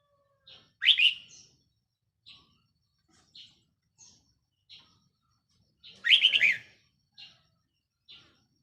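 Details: A red-whiskered bulbul used as a decoy bird, 4 May 2023, delivers two loud, bubbling warbled phrases roughly five seconds apart, separated by brief soft chirps at regular intervals.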